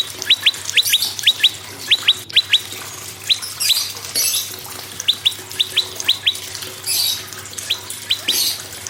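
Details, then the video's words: Prinia song in irregular bursts of sharp rising whistles in pairs and threes, separated by short pauses, with a brief click and some hissy background noise. Played as a song prompt for other birds. "PRENJAK LUMUT GACOR PRENJAK KEPALA MERAH GACOR"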